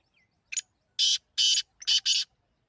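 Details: Partridge giving a loud grating call: a quick rough lead note, then a harsh drawn-out syllable, another, and a closely spaced pair, all buzzy and strident, in a quiet setting.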